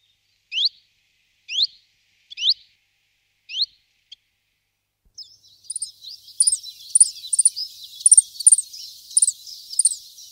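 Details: Common Chiffchaff (Phylloscopus collybita): four separate high, rising upslurred notes about a second apart, then a faster series of short bright notes over a soft hiss of background noise.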